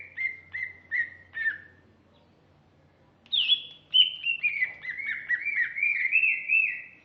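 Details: Female greater green leafbird singing: four short downslurred whistles near the start, a pause, then a longer run of bright, wavering whistled notes that gradually slide lower, with faint low hum beneath.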